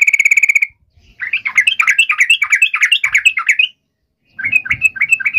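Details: Lure song of a sooty-headed bulbul (trucukan) for provoking a rival to reply: an even rattle, then a long series of chattering down-slurred phrases, and after a pause more quick choppy notes.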